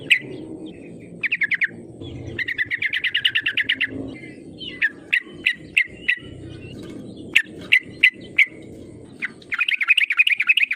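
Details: Sooty-headed bulbul lure calls to push rivals into answering: rapid runs of bright chattering notes, scattered sharp clipped notes in the middle, and a fast trilled burst at the close, with steady low hum behind.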